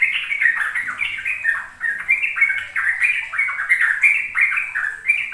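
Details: Sooty-headed bulbul tutor song in ropel style, used to coax young birds into learning. A rapid, nonstop stream of warbled, slurred notes with some squawky edges, packed tightly together.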